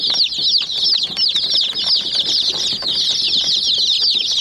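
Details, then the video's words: Hen chicks attacking a white miniature jeep toy; a dense wall of high, curling peeps continues throughout, with quick repeated pecking clicks in the background. "Murgi Chicks Chirping Sounds"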